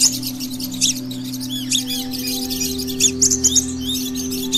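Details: Sunbird song used as tutor audio for a white-rumped shama. High, thin, rapid twittering and tinkling notes run continuously over a strong, steady low electrical hum.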